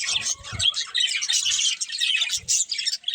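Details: Budgerigars of a breeding pair and family give quick bursts of high, scratchy chirps and warbles, pausing briefly between phrases, with soft low taps.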